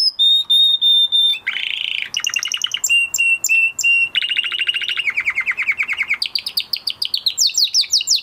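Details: Caged-style male canary song after moulting, packed with varied tours: steady high whistles, a harsh buzzy burst, clipped repeated notes, then quickening rolling trills that climb higher toward the end.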